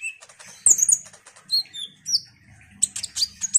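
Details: Ruby-cheeked sunbird in full song, used as a lure to stir other sunbirds into singing: thin, high sharp chirps and short whistled slurs in scattered bursts, with a faint low hum beneath.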